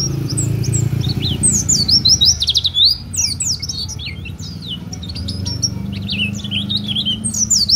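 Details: Oriental white-eye in full song, used as a tutor recording or lure for other birds: a fast, busy, almost continuous stream of thin, high chirps and twittering trills over a low background rumble.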